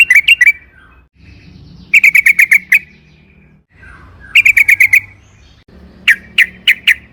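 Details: Sooty-headed bulbul, used as a lure to provoke a bulbul into long rolling song: short bursts of rapid chirpy notes, each burst lasting under a second, repeated with pauses and a faint low hum between.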